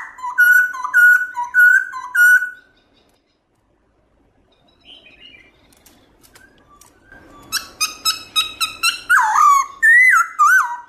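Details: Loud, clear wild song of a black-throated laughingthrush, meant to stimulate caged birds: four evenly spaced falling whistles, a quiet gap, then a rapid chattering series of pulses ending in looping, warbled whistles.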